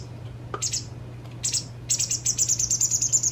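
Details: White wagtail fledgling being fed by a parent two days before leaving: a few sharp high chips at first, then a fast, steady run of piercing chirps, about three a second, over a constant low hum.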